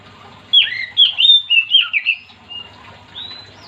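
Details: Oriental magpie-robin singing to encourage other magpie-robins to sing too. A burst of loud, warbled whistles is followed by a couple of quieter drawn-out rising notes.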